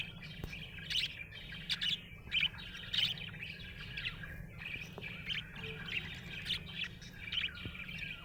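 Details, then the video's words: Budgerigar in a happy mood, chattering continuously with quick scratchy chirps and brief squeaky peaks every second or so over a soft warbling murmur and a faint low hum. "Happy budgie chirping sound"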